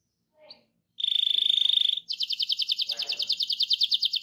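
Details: Rolling canary song used to stimulate other canaries to sing: a brief soft note, then a fast steady trill, then a quicker, higher rolled trill of evenly pulsed notes.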